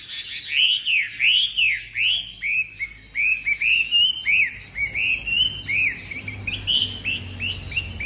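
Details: Tame caged Chinese hwamei singing a fast series of loud arched, slurred whistles, about two or three per second, each rising then falling, over a low background hum.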